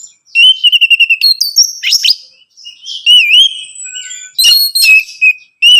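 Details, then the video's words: Orange-headed thrush song, played so a captive bird will answer: a quick run of about eight identical whistled notes, then wavering slurred whistles, a long falling note and sharp chips. "Merangsang ANIS MERAH Berani Bunyi, Saat Diputarkan Kicauan Ini dalam Beberapa Menit."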